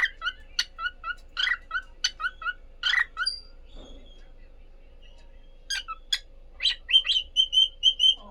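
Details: Pet cockatiel couple trading quick chirps in a busy run, a pause with a soft scrape, then more chirps ending in a series of short, clear, evenly pitched whistled notes repeated about four times a second.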